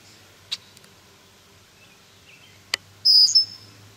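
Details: Two sharp clicks, then a loud, high, thin whistle with a wavering tail, given by a female red-winged blackbird diving at an intruder in a yard near her nest.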